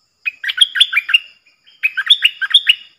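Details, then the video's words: Bulbul calls from decoy birds, four individuals, 31 July 2021: two dense, jaunty phrases of fast, liquid, rising-and-falling notes, separated by a short gap. "เสียงต่อนกดอกแตงEp.68 เสียงต่อจากป่าจริงๆ นกต่อ4ตัว!!! Suara merbah lekir gacor"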